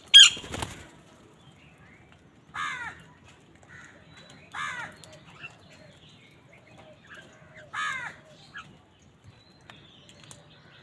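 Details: Crows gathered on a winter morning give hoarse, downward-curving caws spaced about two seconds apart, after a sharp knock at the start and over a quiet background.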